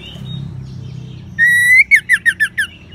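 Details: Ngeban song of an orange-headed thrush, used to get caged birds singing: one long, steady, slightly rising whistle, then five short, loud slurred notes in quick rhythm.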